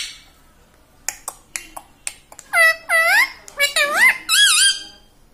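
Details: Household parrot taught to say "mummy" and "radhe radhe" utters several looping, rising-and-falling mimicked syllables after a run of sharp finger-snap-like clicks in a small room.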